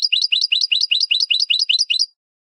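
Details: Spanish goldfinch training song for cage birds: a steady string of about a dozen identical high, buzzy-tinkling two-part notes in quick rhythm, stopping abruptly and followed by silence.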